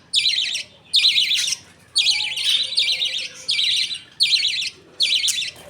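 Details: Captive budgerigar colony at feeding time, father passing food paste to two chicks. Loud, scratchy rasping bursts, each about half a second long, repeat at roughly one-second intervals, with quiet low murmurs between.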